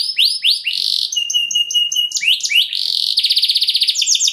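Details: Luxury-song canary, a lure meant to make other canaries answer, delivers varied high phrases: a few swooping notes, a thin chattering stretch, a sharp upslur, then fast buzzy rolling trills.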